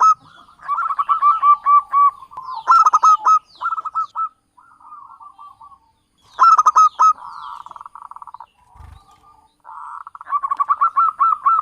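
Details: Lure call of a local Javanese zebra dove used for trapping: repeated rapid bursts of short, mellow coos with rough, emphatic accents, separated by softer fluttering note runs and brief pauses.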